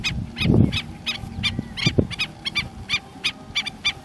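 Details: Killdeer calling in Piura on the Peruvian coast: short, piercing notes repeated in quick, uneven bursts, with a few low thumps and a steady low background rumble.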